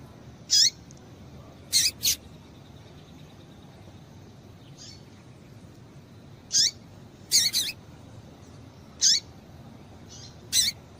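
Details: Female double-collared seedeater calling to excite males: about nine brief, bright chips scattered irregularly across eleven seconds, some in close pairs, with long quiet gaps and faint background hiss.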